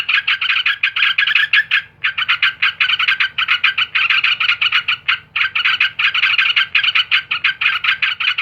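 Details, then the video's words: Yellow-vented bulbul singing a fast, rhythmic, throaty chatter of closely spaced pulsed notes, broken only by short pauses near the second and fifth seconds, with a soft low hum behind. "Burung Trucukan"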